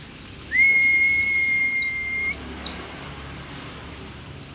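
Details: Rare mountain white-eye endemic to Merapi, an old bird in full, vigorous song: one long steady whistle held for nearly two seconds, then quick bursts of very high, thin, falling chirps over a faint background hiss.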